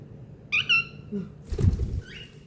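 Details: Baby cockatiels indoors at night: a short, bright, two-note chirp with a slight rise, then a softer chirp a second later, over low room hum and a dull thump.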